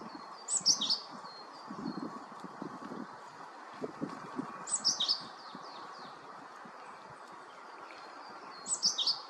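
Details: A male great tit (Parus major) keeping watch and encouraging the incubating female gives short, high, chirping note clusters about every four seconds, over low rustling and soft background noise.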